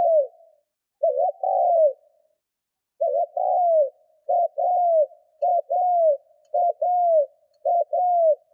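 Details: Spotted dove kept as a decoy gives its rousing coo to stir up wild birds: a steady run of paired coos, a short clipped note followed by a longer rounded, falling one, repeated closely about once a second with nothing else audible.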